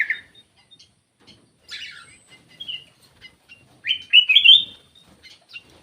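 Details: Lure call of a black-crested bulbul: a sharp note, scattered quiet chips, then a loud rising, bubbling warble near the end.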